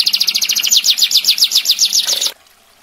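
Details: Canary singing a dense, sharp master song for training other birds: a series of fast downward-sweeping high notes in a rolling trill, ending abruptly into near silence.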